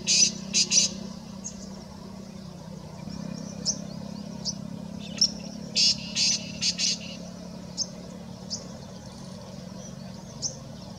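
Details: A male black francolin calling in the open, then running ahead before calling again: harsh, grating clusters of three or four scratchy notes, with short gaps between phrases, over a low engine hum.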